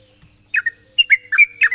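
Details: Short burst from a sooty-headed bulbul calling to a rival: about five quick liquid whistled notes, some slurred downward, others flat and bright, against a thin constant high hiss.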